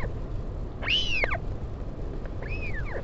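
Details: Northern royal albatross colony, Taiaroa Head, Dunedin, New Zealand, 16 July 2019, parent visiting chick: one loud, sharply arched whistle, then a softer echoing arc about 1.5 seconds later, with wind noise underneath.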